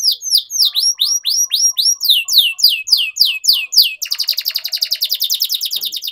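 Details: Canary song used to train young canaries: a rapid series of sharp downslurred whistled notes, about four per second, switching abruptly to a fast, dense buzzing trill.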